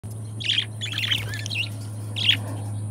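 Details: Two pet budgerigars, described as best friends, give a few short, sharp chirps in three bursts, separated by quiet gaps, over a steady low electrical hum.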